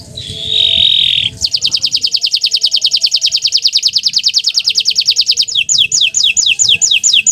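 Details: Green canary in full song: a steady high note, then a long rapid rattling trill of evenly spaced pulses lasting about four seconds, ending in a series of quick downward-slurred whistles.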